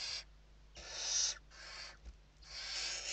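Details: Western barn owls at their nest in Spain, evening feeding on 29 November 2023: drawn-out, noisy rasping hisses, one long burst followed by shorter ones, with brief soft knocks and a low electrical hum.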